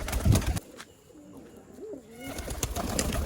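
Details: Male pigeons kept by their owner, calling excitedly after being given grit; a low, rolling, bending coo in the middle with pecking and clattering noises before and after.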